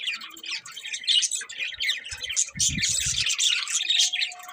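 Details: Several budgerigars chirp in a busy, warbling chatter of scratchy high notes, with a few low thuds and rustles in the background.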